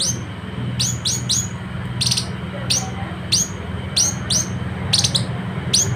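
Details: Citrine canary-flycatcher (Culicicapa helianthea) from West Sulawesi giving high, thin, sharply slurred notes, about two a second at an uneven pace, over a steady low hum.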